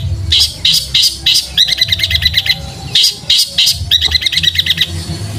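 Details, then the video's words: Long-tailed shrike recorded to train cage birds, sparrow-fight style: loud separate chirps followed by fast rattling rolls of paired notes, the pattern repeating twice, over a low constant hum. "Masteran Cendet suara gereja tarung roll speed gacor di jamin langsung niru dan gacor_"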